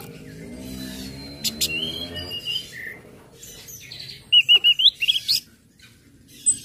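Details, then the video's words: Orange-headed thrush song used to trigger other birds into singing: a low hum gives way to high whistled, looping phrases, a run of five quick wavering notes near the middle and scattered sharp chirps. "SUARA ANIS MERAH NGECIP NGECIT NGEPLONG PEMANCING BIRAHI AGAR IKUT BUNYI"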